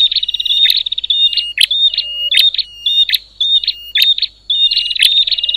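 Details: Bar-winged prinia, calling noisily in a way that sets other prinias off: an opening high rattle, then repeated short whistled notes with crisp ticks at roughly half-second spacing, ending in a fresh chattering trill.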